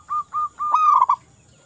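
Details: Local zebra dove cooing: two short level coos then a longer rolling, trilled phrase, all near one pitch, over a quiet background.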